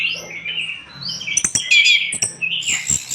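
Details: Orange-headed thrush singing strongly, recorded as tutor song: sweet warbled phrases rising and falling, then a clear whistled flourish, with sharp clicks and a faint low hum behind.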